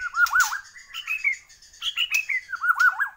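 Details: White-rumped shama of Borneo singing loud repeated wavy whistled phrases, rolling undulating notes at mid pitch interspersed with higher stepped whistles, the phrase returning at the end.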